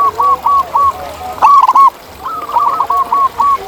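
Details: ['Zebra dove, a wild bird in nature, gives rolling, bubbly coo phrases. One loud trilled burst stands out midway, and other doves answer with softer repeated coos before and after.']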